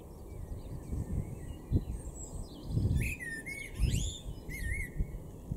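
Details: Male common blackbird singing in a garden in Weener, East Frisia, far northwestern Germany, April 2022: two short fluty phrases ending in thin, squeaky high twitters, over a steady low wind rumble with faint chirps from other birds.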